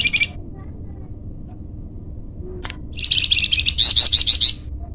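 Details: Song of a flamboyan bird, meant for luring or training birds: a short high note, a pause with a sharp click, then a fast series of bright chirps that grows louder and shriller toward the end.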